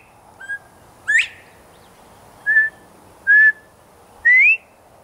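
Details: Male northern bobwhite calling loudly from a nearby tree in Texas, answering a person whistling back at him. Clear whistled notes, some steady and some sharply rising, come about once a second over a quiet background.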